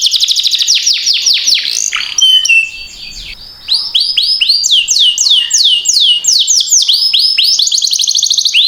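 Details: Canary singing long and energetically, used as a lure to stimulate and train other canaries. Rapid series of bright, high downward-sweeping notes, several per second, with a short buzzy passage and brief lull midway. Nothing else heard.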